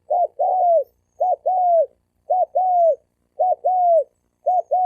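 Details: Male spotted doves in a fighting challenge, recorded to provoke other males. A mellow mid-pitched coo phrase: a short double note, then a longer level note that falls at the end. It repeats about once a second with a clean, quiet background.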